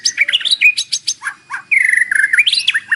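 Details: Morning white-rumped shama song with fill-in phrases, used to provoke a captive bird to sing: rapid chattering notes, then a long warbled whistle falling slightly, ending in quick looping whistles.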